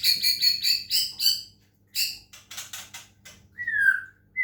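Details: White-rumped shama from Medan, caged, given water-sound therapy to make it sing: a rapid run of harsh, scratchy chattering notes, a pause, more rasping bursts, then a single clear descending whistle, with a low background hum.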